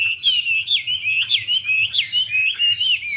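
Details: Female hwamei (Garrulax canorus) urging the male with a wing-fanning dance; an unbroken, bright warbling of quick wavering whistles, rhythmic bursts roughly twice a second, steady and loud, with faint low hum.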